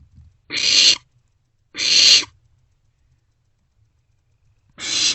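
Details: Nestling barn owls in an owl box around 2 am in late March, sharing food; rasping hissed screeches, two close together then a pause of over two seconds before a third.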